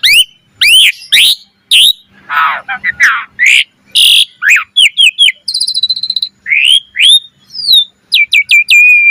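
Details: Varied gacor mompa singing from an Asian pied starling: sharp rising whistles, a harsh rasping passage, a fast rattling trill and looping slurred notes, ending in clipped repeated whistles, with a faint low hum.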